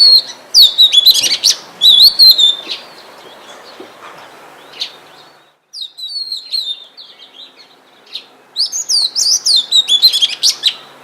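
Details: In forest, an Oriental magpie-robin pours out loud, rich whistled phrases in rapid bursts, pausing between sequences and then resuming with sharp chips and slurs.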